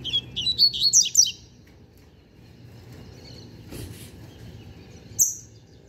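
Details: Double-collared seedeater, a young novice finished with song tutoring, pouring out a fast run of about seven high, ringing warbled notes in just over a second, then near silence and one lone high note.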